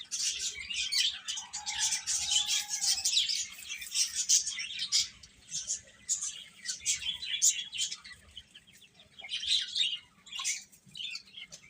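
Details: Several chicken chicks chirping: a thick wash of high peeps for the first half, a lower sustained tone near two seconds, then scattered quieter cheeps.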